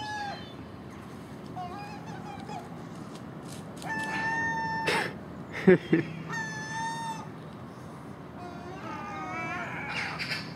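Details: Noisy early-morning scene at a house's garbage: common gull mewing cries, some long and wailing, interrupted by sharp clattering knocks and harsh chattering from magpie and crow.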